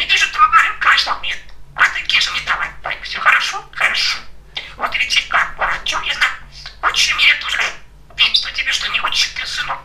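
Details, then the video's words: Kesha, a very chatty talking male pet budgerigar, speaks in rapid, scratchy, speech-like phrases in one-to-two-second bursts separated by short pauses, over a faint steady electrical hum. "Попугай Кеша разговаривает"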